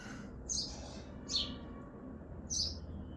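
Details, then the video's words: Sparrow chirping on a balcony in Hazaribagh, India: three short, high, bright chirps roughly a second apart, fairly faint over a steady low background hum. "Bird Chirping in balkoni#sparrow"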